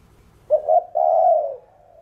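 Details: Spotted dove (chim cu gáy) cooing in the thổ đồng voice style, played to stimulate other doves to coo: two short rising notes followed by a long, slightly falling, hoarse coo, all low and mellow.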